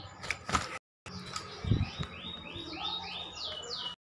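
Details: Grey-headed canary-flycatcher call used as a quick lure to draw a reply from other birds of its kind: a run of clear, downslurred high whistles repeated about twice a second in the second half, after brief rustling and background noise.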